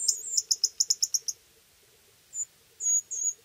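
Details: Pyrrhuloxia chicks begging as the male parent feeds them with food taken from a hand, Terlingua, Texas, summer 2013–2014: a fast run of about eight sharp, very high chips, then a pause and three more thin high notes.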